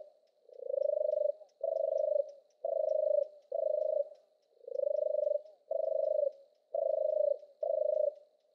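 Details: Purring song of a European turtle dove, eight deep rolling trills of even pitch, each pulsed and lasting under a second, loosely paired with brief gaps; faint high ticks above, otherwise quiet.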